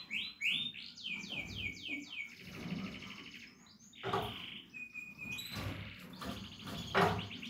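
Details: Young Portuguese Harlequin canaries: a quick string of arching notes that falls in pitch, followed by softer trills, a level whistle and sharp clicks or knocks in the room.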